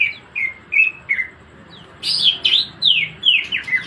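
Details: Cucak ijo, the greater green leafbird, in energetic 'ngebren' song: four short whistled notes, a brief pause, then a louder run of sweeping, buzzy downslurred whistles repeated quickly to the end.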